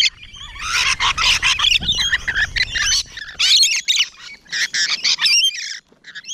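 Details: Rainbow Lorikeets close up in the morning, loud bursts of harsh screeching chatter in overlapping waves, separated by short gaps.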